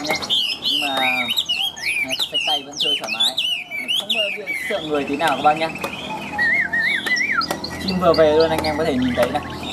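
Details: Tame, newly arrived caged Chinese hwamei pouring out energetic song: rapid jagged whistled notes leaping up and down, then a wavering whistle and rich, harsher warbled phrases.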